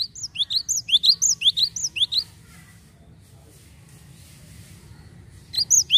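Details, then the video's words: Java sparrow calling on a lure recording to prompt other birds. A rapid run of about twelve bright, bouncing chirps over two seconds, a long silence, then a fresh burst at the end. "PANCINGAN GELATIK BAHAN"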